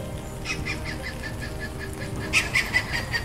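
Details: Stork-billed kingfisher (Pelargopsis capensis), a very large kingfisher, giving a series of rapid, harsh repeated notes that grow louder toward the end, over a steady low hum.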